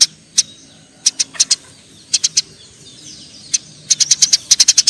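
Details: Sparring Eurasian tree sparrows: scattered clusters of two to four sharp, high chirps, quickening at the end into a rapid run of chattering notes.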